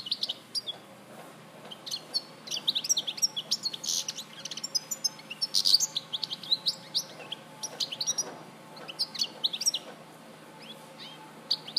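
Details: Goldfinch song recorded in Larache in 2014: a long, dense stream of bright, high twittering notes with buzzy trills and quick liquid chirps, rising and falling in energetic bursts with a few short gaps.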